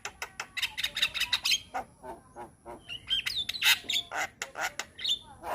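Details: Young Javan myna (jalak kebo) in full, lively song with many mimicked phrases: a dense run of harsh squawks, clicks and whistled notes rising and falling, sharp chattering bursts packed closely throughout.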